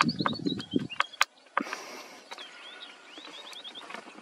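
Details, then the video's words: Red avadavat (red munia) in Nagpur, August 2023, giving melodious thin, high chirps and short rising slurred notes in quick runs, with loud low knocks and thuds at the start. "Melodious calls of Red Munia"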